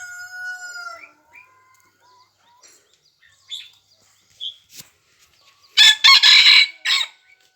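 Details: Red junglefowl recorded on 3 March 2020: a harmonic crow opens the clip, followed by a few short calls and then a loud, harsh, broadband crow of about one second near the end.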